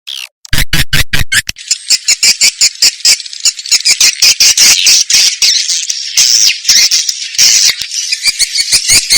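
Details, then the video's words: Swiftlet calls from Indonesia, shared for swiftlet farmers: a few sharp opening clicks, then a continuous loud buzzy twitter laced with quick ticking pulses that runs to the end. "sp kompak burung walet"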